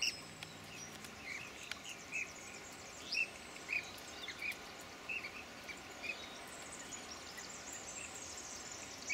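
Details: Rainbow bee-eaters resting on a clothes line give short, bright rolling chirps, about ten over nine seconds at an uneven pace, over a steady high insect hiss.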